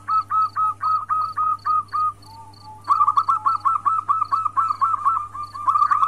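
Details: Local Indonesian zebra dove, a female calling to the male as a breeding lure: evenly spaced cooing notes in a short series, a brief pause, then a quicker run of rolling notes, with a constant low hum and faint high beeping.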